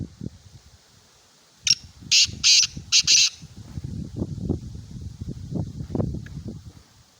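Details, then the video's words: Black francolin, a kept pet bird, giving a harsh, grating call: a short note then three loud rasping bursts over about one and a half seconds, followed by low rumbling background noise. "Kala Teetar Ki Awaz|Black francolin Sound"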